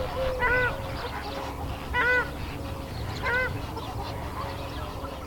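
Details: Honking calls of a greater flamingo, recorded 19 February 2017. Three nasal, arched honks come about every one and a half seconds, with softer calls from other birds and a low rumble behind.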